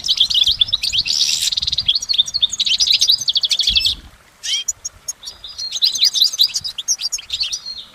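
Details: Goldfinch singing in nature: a dense four-second run of twittering and buzzy trills, a short pause, then a sharp dropping note and renewed bright chirping.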